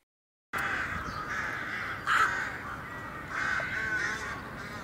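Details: Rooks in a nesting colony in a Serbian city in early spring, communicating while collecting nest materials: harsh, ragged caws overlapping, with louder bursts at about two and three and a half seconds.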